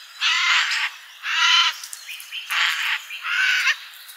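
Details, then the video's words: At a summer garden feeder, a bird repeats coarse, rasping squawks about once a second, four bursts in a row, with light chirping from other birds behind. "Nice birdies in summer garden"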